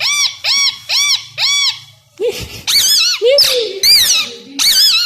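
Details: Pet plum-headed parakeet, a tamed two-year-old male known for words and whistling, whistles four identical arched notes in even rhythm, then breaks into quick wavering squeaks and chattering syllables indoors.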